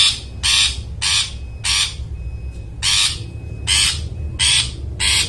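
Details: Long-tailed shrike, called cendet, in lively gacor-style song: loud, harsh, raspy bursts roughly every half second to second, broken by brief pauses, over a steady low background hum.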